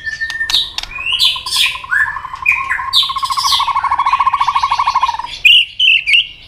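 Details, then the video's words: White-rumped shama delivering fighting song to provoke a rival; sweeping whistled phrases over a long, low, rattling trill of rapid repeated notes lasting about three seconds, followed by short loud chirped whistles. "chòe lửa tạch đuôi âm kép kích lửa hiệu quả.dìu lửa chuyền mùa 2 hót đấu lên lửa cực nhanh muraibatu"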